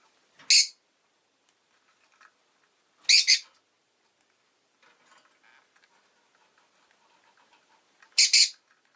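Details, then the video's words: Rosy-faced lovebird (Agapornis roseicollis) giving three loud, shrill, harsh chirps a few seconds apart, with faint soft twittering in the quiet gaps. "Lovebird Chirping Sounds"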